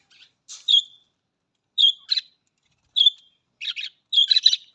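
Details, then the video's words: Budgerigar calling: short bright whistled chirps about a second apart, each followed by buzzy scratchy chatter, the bursts growing denser toward the end. "Australian Budgies parrot voice Australian parrot voice"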